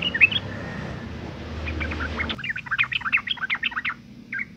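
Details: Female sooty-headed bulbul in breeding condition calling to males to lure them into singing: a few faint chirps over a low rumble, then a quick, lively stream of bright chirped notes.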